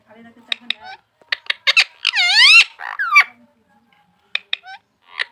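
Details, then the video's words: Pet talking parrot imitating human speech: clipped, speech-like syllables and squawks, then a long wavering, harmonic wail in the middle, a falling note, a pause, and a few more short chirped syllables at the end. "My Talking Parrot"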